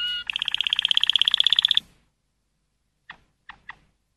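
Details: A Malinois canary delivers a rapid, even, rattling roll lasting under two seconds. Silence follows, broken by three short clicking notes near the end.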